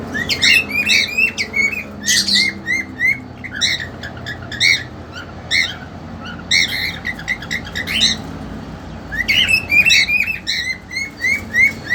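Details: Caged cockatiels: an eager young male with a two-month-old female, kept together for mating. Bright, bent chirps with rich overtones come in quick bursts and short pauses throughout, some sharper squawk-like notes among them, over a low indoor hum.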